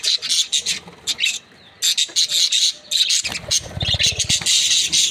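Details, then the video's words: Breeding pairs of budgerigars chattering, with dense bursts of scratchy, buzzy chirps in rapid overlapping clusters, a brief lull near the middle, then renewed busy twittering over a low rumble. "Budgies parrot chirping sound | Australian parrot breeding pairs"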